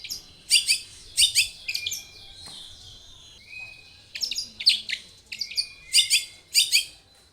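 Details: Long-tailed shrike singing to lure other shrikes into song: loud, harsh, high chatter bursts alternate with thin flat whistles and a brief buzzy glide, in a varied, jerky phrase.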